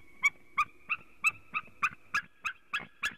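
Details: White-tailed eagle pair at a nest in Latvia in late February during nest work and mating: a series of about ten sharp yelping notes, roughly three per second, with a steady faint hum behind, from a webcam.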